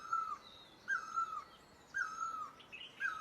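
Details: Drawn-out, slightly wavering downslurred notes from a great barbet in Asia, repeated roughly every second, with a brief higher bird chirp near the end.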